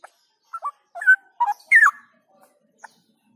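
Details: Straw-headed bulbul in outdoor song training, delivering a short series of clear whistled notes that climb and then slur downward. A loud, warbling flourish comes near the middle, followed by a single soft note and silence.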